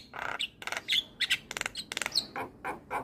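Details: Javan myna in full, persistent song, played as therapy to prompt mynas that have stopped singing or are stressed: a rapid run of varied harsh, buzzy and chattering notes with short whistled squeaks, in bursts under a second apart.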